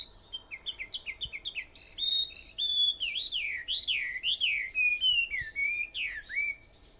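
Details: Birds singing at 4:30 in the morning on Aobayama, Sendai, 21 July 2014: a quick run of short high whistled notes stepping downward, then looping slurred whistles rising and falling over a steady high-pitched hiss.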